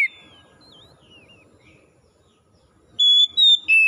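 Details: Oriental magpie-robin, wild ngalas style, for reviving a bird that stopped singing: faint thin slurred whistles over low rustling, then a loud clear phrase of three whistled notes near the end.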